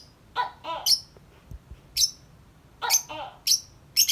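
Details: A tame lovebird outside its cage mixes thin high chirps with coarser, lower, squeaky notes, delivered in short clustered bursts separated by brief pauses.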